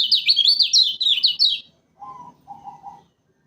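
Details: Loud-voiced lemon-bellied white-eye of Lombok, Indonesia, a trapping lure: about one and a half seconds of fast, high, up-and-down chirping notes, followed after a gap by two brief lower, even whistles.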